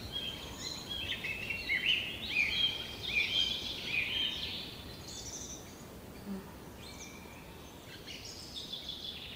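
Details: Redwing thrush (Turdus iliacus) at a stump nest with small chicks in bushes, Kalinovsky forest park, Yekaterinburg, 17 May 2020; sharp, high chirps and chattering in quick bursts, loudest early then fading, over a steady hiss.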